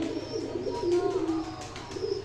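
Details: Giribaz pigeons from Rajshahi, Bangladesh, giving deep burbling coos in quick overlapping phrases inside a small room, a constant electrical hum and faint tonal whistles behind them.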